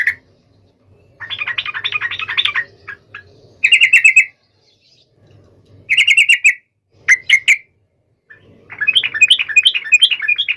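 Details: Sooty-headed bulbul in full song calling a rival, meant to make other bulbuls answer at once: bursts of rapid, bubbly chattering notes alternating with short clear whistled phrases, separated by brief pauses, over a faint low hum.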